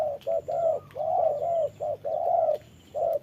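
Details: Spotted dove decoy used in trapping, calling while fighting a wild bird in the rain: low hollow cooing notes given in quick uneven bursts, some drawn out, with a faint high steady tone in the background.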